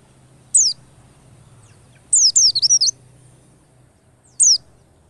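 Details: Singing white-eye on a lure track meant to make white-eyes sing quickly: a lone high slurred note, then a longer chattering phrase of about seven bouncing high notes, then another single whistle, with a low steady hum.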